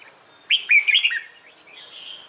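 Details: Red-whiskered bulbul giving a morning fighting song meant to coax young birds into singing; one lively warbled phrase of bubbling, bouncing notes lasting half a second, followed by a soft, thin whistle.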